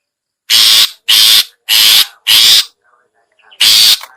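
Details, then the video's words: Shrike lure call of the long-tailed shrike (cendet/pentet), used to entice other shrikes: four rough rasping bursts in a row, a pause with faint twittering, then one final harsh note. "suara pikat burung cendet/pentet/toet toet"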